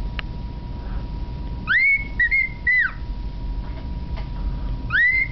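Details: Male pet cockatiel singing his own renditions of the Andy Griffith Show theme and a Schubert "Trout" Quintet tune: a few clear, rising whistles spaced about a second apart, over low room hum with a person speaking nearby.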